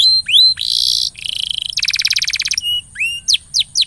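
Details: Canary singing to coax a silent canary into song, mixing looping whistles, a dense buzzy phrase, a fast rattling trill and a few sharp descending notes at the end.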